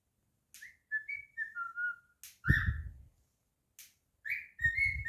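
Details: Cockatiel singing indoors as a pet: a chain of stepped whistled notes falling in pitch, then a rising note and more level whistles, over low thumps and handling sounds.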